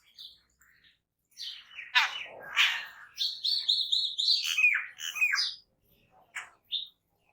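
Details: Jungle babblers, a gregarious bird known as Seven Sisters or Saath bhai, giving harsh, squeaky chattering notes: rasping bursts followed by a run of rapid repeated high chirps, then a few scattered short calls.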